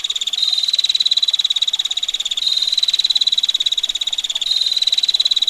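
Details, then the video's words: Rapid, rasping 'ngetir' ticking from a female bar-winged prinia continues throughout, each two-second stretch starting a touch higher, over a continuous soft wash of water. "Prenjak Betina Gacor Ngetir Rapat Tajam Kasar Roll Panjang"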